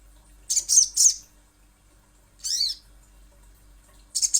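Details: Little spiderhunter calling with short clusters of sharp high chips, a single arching, harmonically rich note in the middle, and another chip burst at the end.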